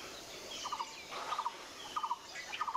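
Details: A White-vented Myna foraging for seeds in a Callistemon shrub utters short, clipped triple notes in quick bursts, overlapping with other faint bird calls.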